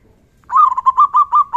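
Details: Local zebra dove with a big, loud 'kung' voice, calling to provoke other doves to answer: one rolling phrase of low, rich coos, a stuttered run of about six pulsing notes near one pitch, clear against a quiet background.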